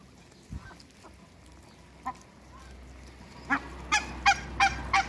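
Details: African geese, two pairs kept in a backyard with Muscovy ducks: a quiet start with faint scattered sounds, then a run of five loud, nasal, harmonic honks in quick succession over the last second and a half.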